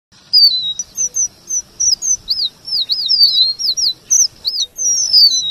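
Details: Red avadavat singing a lively song trained to mix in white-rumped shama (kacer) phrases: rapid series of high, looping, arched whistles repeated about twice a second, with thin squeaky notes between and brief gaps of silence.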